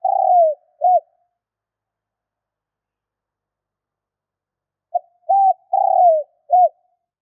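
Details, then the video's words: Spotted dove call used to provoke wild doves: a truncated coo phrase, then after a long silence a full low four-note phrase with a short note, two level hoots, a long falling middle coo and a final short hoot. "Tiếng chim cu gáy kích bổi nhanh nổi"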